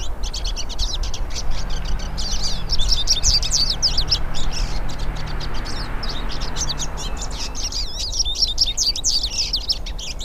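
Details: Several hooded siskins singing in nature form a dense, continuous chorus of high twittering and chirping notes, overlapping throughout, above a steady low background hum.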